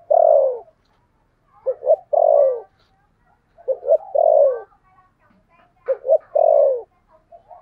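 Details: Spotted dove kept as a lure bird, 'thổ' voice. A long falling coo opens. Then come three more phrases, each a stuttered double hoot followed by a sustained downward-sliding coo, spaced about two seconds apart.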